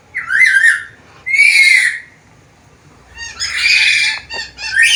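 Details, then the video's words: A black-capped lory known for talking and varied sounds calls out with a slurred whistle, a long level whistled squawk, a pause, then a harsh broad squawk and a rising note. "BURUNG NURI KEPALA HITAM GACOR BISA NGOMONG SUARA BERVARIASI"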